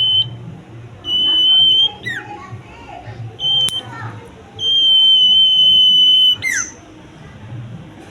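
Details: Common iora: a series of level, piercing whistles of varying length, the longest near two seconds, finished with a dropping note, with quiet low background noise between phrases.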